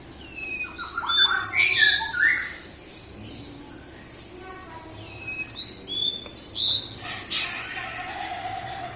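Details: Javan bush lark of the local Kediri type from Java, singing vigorously: bursts of sharp high chirps, buzzy trills and short whistled notes in two active spells separated by a quieter pause, with a faint low hum underneath.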